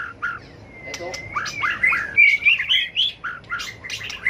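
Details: Caged white-rumped shama singing a competitive fighting song during training: a long thin rising whistle followed by rich, varied warbled phrases with sharp chips, rapid and loud.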